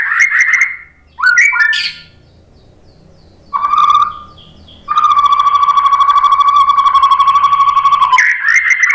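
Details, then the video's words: White-rumped shama song played as a lure to spur other birds to sing: brief whistled notes, then a long, steady, buzzy rattling trill held for about three seconds, closed by a bright whistle. "SUARA KICAUAN MURAI BATU bikin NYAUT jadi GACOR NGEPLONG"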